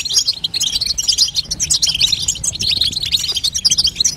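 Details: Rapid, high-pitched chirping and twittering of a female European goldfinch, used to make a young goldfinch sing, flowing almost without gaps.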